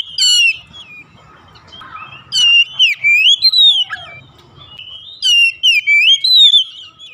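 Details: Oriental magpie-robin (Kacer) singing, used to coax a reluctant home bird into song: rapid high chips, then loud looping whistled phrases in two bursts, a soft low rumble beneath quieter moments.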